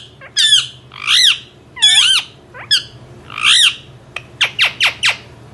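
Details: Indian ringneck parrot: loud harsh squawks with bending, warbled notes, then a fast run of four sharp descending shrieks at the end.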